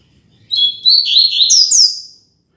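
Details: Tui Tui Zel Zel song of a Double-collared seedeater, the classic phrase for training young birds: quick high chirps running into two loud, sweeping down-slurred notes, with a faint click.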